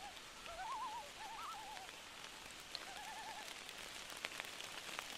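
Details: On a rainy night, a loon gives several short wavering tremolo phrases in quick succession early on, then one more quavering trill later, with continuous rainfall throughout.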